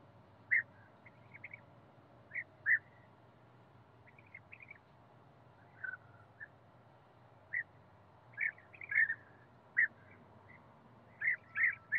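European bee-eaters giving short, liquid, rolling 'prrup' notes at irregular intervals, sometimes two or three close together, over a faint low background hum.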